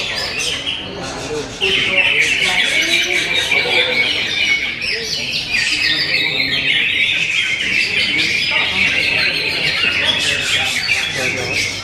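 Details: Greater green leafbird, with its classy song material, in a steady stream of high chirps and twittering notes that runs almost without pause and strengthens after the second second, over people talking in the background.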